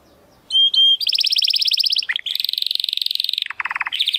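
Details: A Belgian canary sings two clear whistles and then long, fast buzzy rolls broken by a brief low dip, continuing in steady trilled pulses.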